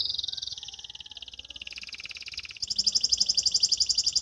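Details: Canary learning its song, practising the trilling style called ngriwik: continuous rapid, high pulsed trills that step down in pitch, then jump to a brighter, faster-beating high trill repeated evenly until the end.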